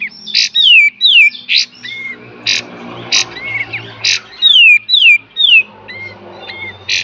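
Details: Pied triller recorded as a master song for training cage birds, beset and tembak: steady alternation of loud sharp bursts and clear downslurred whistles, roughly two per second, over a low background hum.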